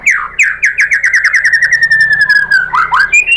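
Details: Caged white-rumped shama from Indonesia, singing a provoking song to draw an answer from another shama: a rapid rattling trill of repeated notes that slides gradually downward, then twisting whistles at the end.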